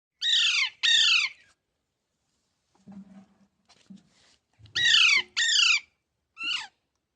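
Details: Green Indian parrot calling: two loud, harsh, downward-sweeping squawks, a quiet stretch with faint low murmurs, then two more loud squawks and a shorter, softer one near the end.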